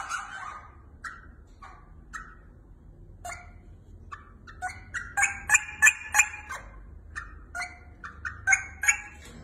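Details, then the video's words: Caged pair of rosella parrots, whistling when the owner approaches and at feeding time: clipped, spaced whistled notes at first, then a quick, louder run of sharp repeated notes in the middle, tapering to scattered calls. "Rosella parrot whistling"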